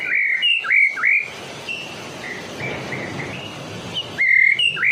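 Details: Medan white-rumped shama, sung to lure other shamas: bright, looping whistled phrases with sharp upward flicks open and close the passage, softer thin notes between, over steady low hiss.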